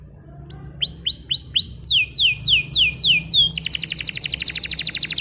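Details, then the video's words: Young canaries learning to sing are tutored by this bottle-green canary: a series of rising whistled notes, then louder falling slurs, ending in a fast buzzy trill of tightly packed pulses. "Kenari Hijau Botol AF Gacor COCOK Untuk Pancingan Kenari Paud Belajar Bunyi !! Canary Singing"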